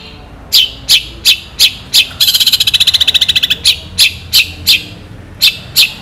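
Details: Long-tailed shrike in lively full song, used as a tutor recording for other birds, with long sharp bursts: harsh chattering notes at roughly three per second and a fast buzzy rattle of about twenty beats in the middle.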